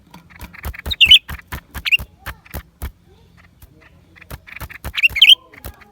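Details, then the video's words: Lesser green leafbird, January 2023, giving quick twisting high chirps in small clusters near the start and end, while loud dry clicks tick along at an irregular fast pace underneath. "เสียงนกเขียวกลาง ปีกสีฟ้า suara cucak ranting"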